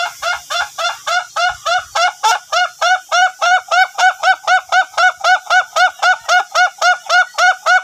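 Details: Long-duration crowing from a duration-type Ayam Ketawa chicken being trained: clear, evenly spaced laughing syllables, roughly four per second, steady and unbroken. Faint low knocks are heard at the start.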